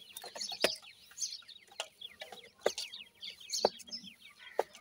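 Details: Captive Dakhni and Desi teetar chicks feeding: steady high chirping from many chicks, with sharp pecking taps roughly every second.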